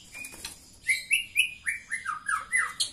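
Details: Female white-rumped shama calling to arouse a male; a series of loud whistled notes, several descending slurs between high and mid pitch, repeated about every quarter second, with faint faint rustling early on.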